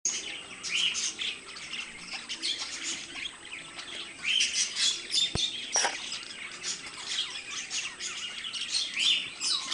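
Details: Pet budgerigars, a pair kept indoors, chattering continuously with dense, scratchy warbles and sharp chirps high in pitch, overlapping trills and squeaks throughout, with a brief click midway.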